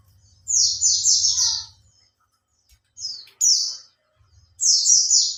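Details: Lure song from a caged Oriental white-eye in care for three months and starting to learn tail-opening: shrill, fast descending twitter runs in three bursts separated by short pauses, over a faint low hum.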